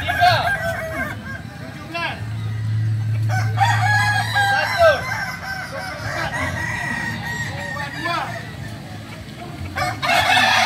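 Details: Kukuak balenggek roosters at a practice competition: long multi-part crows with stepped, tiered phrases, several birds overlapping, plus background hum and crowd noise.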